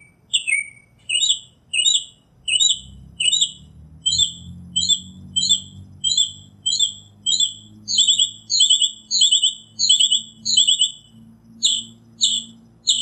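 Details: Wild Northern Mockingbird singing in nature: a long run of short chirped phrases, each sharp note repeated several times before switching, delivered steadily about once a second, with faint low hum underneath.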